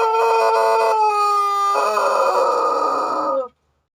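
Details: Pelung rooster from Indonesia in a crowing contest, giving a long sustained tonal crow about three and a half seconds long that shifts to a rougher, lower-pitched ending before stopping abruptly.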